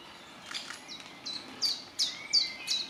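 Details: Great spotted woodpecker chick in its nest hole begs with short, high, slightly falling squeaks repeated about twice a second, growing louder, as the parent pair feed it insects. Faint background noise underneath.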